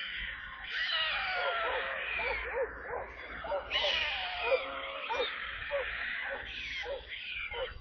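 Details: Stork chicks at their nest in Kaluga Oblast, Russia, given water on 28 July: repeated short arched calls in irregular clusters under a heavy, hissy rushing sound that rises and falls.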